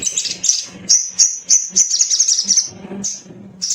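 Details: Little spiderhunter played to encourage singing: a quick run of piercing high chirps, several per second, partly merging into a shrill trill, over a faint low hum.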